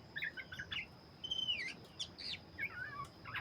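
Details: Oriental magpie-robin, black-chested form, singing eagerly but heard more distantly: soft chirps, a long level whistle that slides downward, and scattered warbled notes over background hiss and a steady high tone.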